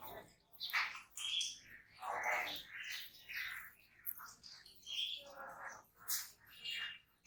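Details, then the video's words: Continuous squeaky, grating chatter of jungle babbler, notes tumbling over one another in rough pulses, with thin high whistles threaded through. "Jungle Babbler Bird Sound"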